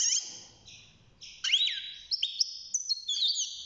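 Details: Six-month-old European goldfinch starting to sing in a cage, giving drawn-out high whistled tones, a quick sweeping slur, then a string of bright twittering notes after a brief quieter opening.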